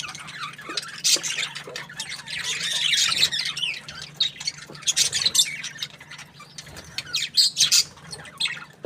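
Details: A contented budgerigar chatters in a high, scratchy warble, mixing quick chirps with sharper squawks, loud bursts followed by quieter stretches.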